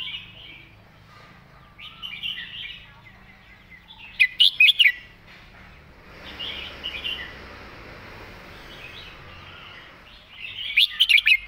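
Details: Red-whiskered bulbul song styled as the 'master song', with soft warbles building to a loud run of four or five sharp whistled notes at about 4 seconds and again near the end, over a light hiss.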